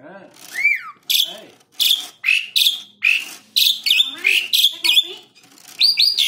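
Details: Captive Black-winged starling singing to provoke other birds: rapid run of whistled, downslurred and rising notes with grating chatters, nearly continuous phrases about every half second.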